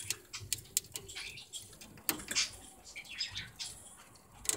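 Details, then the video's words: A pet budgie nibbling sugarcane for small animals, filmed 17 February 2018. Quick, uneven crunches and sharp clicking bites run through the whole stretch, some louder snaps punctuating softer rustling gnawing. "セキセイインコ (•ө•)♪ 『（小動物用）さとうきびを齧る③』"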